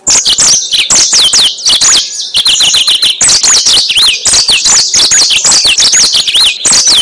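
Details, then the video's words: Used to lure birds, the song of a yellow-fronted canary, loud and high, packed with rapid chirps and a string of repeated downward-swooping whistles, nonstop throughout. "Suara Burung Mozambik Buat Pancingan"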